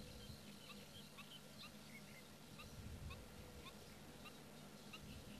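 Black-winged stilts give short, sharp yapping notes, scattered irregularly several per second, over a low rumble of wind and a faint steady hum.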